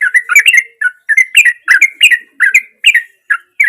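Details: Sooty-headed bulbul singing actively, natural voice used as a lure to get silent bulbuls singing; bubbly, gurgling two- and three-note phrases, bursts roughly every third of a second with short gaps.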